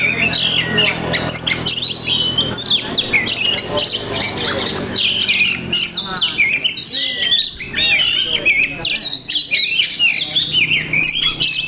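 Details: Long, unbroken outpouring from an Oriental magpie-robin (kacer) mixing many imitated phrases (masteran): piercing whistles, clicks, chattering runs and quick upslurred notes, changing style every second or so.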